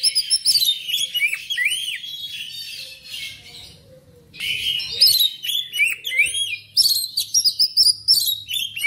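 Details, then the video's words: Song of a black magpie-robin (kacer) played to rouse pet birds into singing: fast sequences of whistled sweeps and harsh chattering notes, a brief quieter gap mid-way, then another vigorous varied burst. "TERAPI KACER CEPAT SEMANGAT RAJIN BUNYI"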